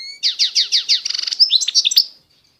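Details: Eastern Algerian Constantine goldfinch: a series of five descending slurred notes, then a rapid trill and a few high tinkling twitters ending the phrase.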